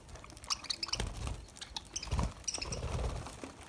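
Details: Quick bursts of thin, high twittering notes from lovebirds eating summer green food, mixed with dull knocks and rustling as they feed.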